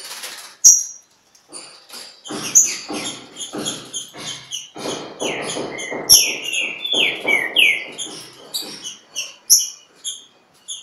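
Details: Green-winged saltator dueling in song with a free-living bird at Pedra Azul; a run of loud whistled slurred notes, some dropping in pitch, amid repeated broadband bursts and a couple of sharp clicks.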